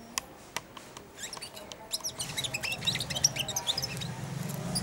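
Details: Caged young European goldfinch, aged four months, practising babbling subsong while it is fed from the hand. A few faint clicks open into a rapid, jumbled stream of high twitters and chips over a low background hum.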